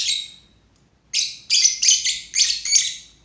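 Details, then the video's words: One shrill lovebird chirp, a pause, then a fast run of five harsh, high chirps in close succession. "lovebird // burung cinta"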